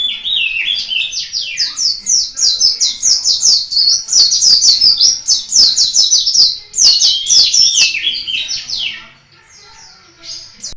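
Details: Pleci, a Malang local white-eye kept as a singing bird, pours out a rich run of high twittering whistles and trills for about nine seconds, then falls quiet before one last brief note.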